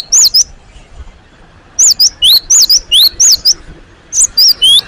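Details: Great tit newly placed in a cage, singing energetically: a short opening phrase, a pause, then a run of sharp whistled rising and falling notes repeated quickly and somewhat irregularly, clear against faint background hiss.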